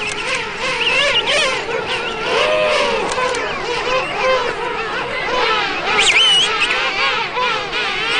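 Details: Hundreds of King penguins (Aptenodytes patagonicus) in a colony make a dense chorus of overlapping wavering, whistled, trumpet-like calls that rise and fall without pause, with no other clear sounds.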